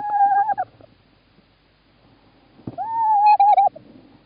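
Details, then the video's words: Male tawny owl calling on 11 March 2017 in Estonia, with the female in the nest box: two level, hollow hooted notes about two seconds apart, the second longer and wavering, over faint low background rumble. "Estonia Tawny Owl 2017 03 11 Klaus call, Klaara in the nestbox"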